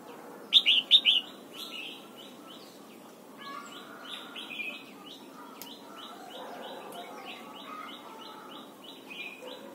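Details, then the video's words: Morning red-whiskered bulbul in song training for the forest-style double note: one loud, rapid four-note warbled phrase, then a long run of faint, quickly repeated chirps and distant bird calls. "Luyện giọng chào mào hót sáng, ép chào mào hót âm kép già rừng hay tuyệt!"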